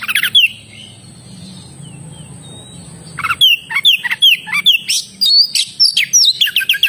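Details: Oriental magpie-robin: a lone whistled note, a quiet gap of almost three seconds, then a lively stream of sharp whistled slides and chattering notes repeated rapidly to the end, with a steady high hum.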